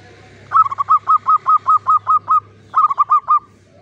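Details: Klowongan-style singing from a caged local Javanese zebra dove in a classic Mataraman cage: a steady string of nine bright, hooked coos, a short gap, then four more, over a low background hum.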